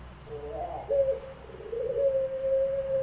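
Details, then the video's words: Contest Barbary dove (puter pelung) at an online singing contest, Semarang, Indonesia, 7 August 2021: a short low rolling coo followed by a long steady drawn-out tone held for over a second, faint hum behind. "Lomba Puter Pelung"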